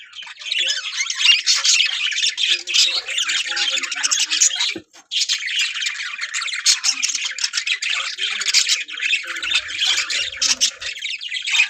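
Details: Captive breeding colony of budgerigars, Australian parrots, with pairs ready to breed: a dense, continuous wall of high chirping, warbling and squawking from many birds, briefly dropping away near the five-second mark before resuming.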